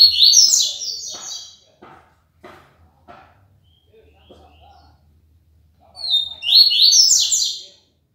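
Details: ["Double-collared seedeater from Aracaju, Brazil, singing the tui-tui limpo style. High, rapid buzzy phrases open and close the passage, and a man's voice speaks quietly in the gap between them."]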